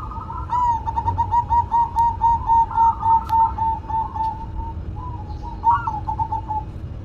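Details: Perkutut, the zebra dove, singing a rapid rolling series of soft coos lasting several seconds, pulsing about four times per second, ending in a short upward-inflected phrase, with a couple of sharp clicks nearby.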